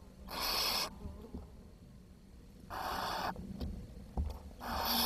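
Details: Hungry barn owl nestlings, 10 June 2023, four chicks left after the youngest died: three long, harsh hisses of roughly half a second, spaced about two seconds apart, with a faint knock.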